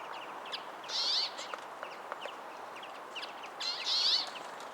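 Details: A Brambling, a winter visitor to the UK, gives two short, harsh, nasal 'tweeze' calls about three seconds apart, with faint high chirps from other small birds around them.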